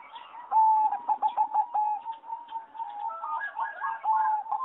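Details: Singing zebra dove bred for contests, caged in a flight aviary, 26 April 2014; a strong rapid string of beaded coos opens, followed by continuous overlapping trilled cooing from several birds.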